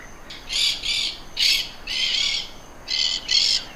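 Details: Exhibition budgerigars give a rapid run of six harsh, buzzy squawks within about three seconds, some paired closely together, loud and clear against a faint hiss.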